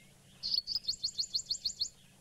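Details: White-bellied Sunbird call played from a phone at sunrise to confirm a sunbird feeding on knobthorn flowers, Djuma Game Reserve, 28 July 2017: a quick, high-pitched run of about eight sharp, even chips over under two seconds, over a faint low hum.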